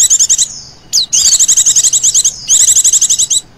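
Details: Female Oriental white-eye giving a 'ngecir' lure call used to attract other birds: high, rapid trilled bursts of fast repeated notes, broken by a short pause and a thin descending whistle near one second, then resuming in long trills.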